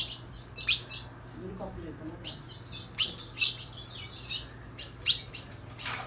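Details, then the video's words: A captive female Colombian ultramarine grosbeak, just out of moult with a newly regrown tail and wing pin feathers, calls a lot: sharp, high, metallic chips, about eight in six seconds, over electrical hum and faint voice. "Fêmia de azulão colombiana piando muito"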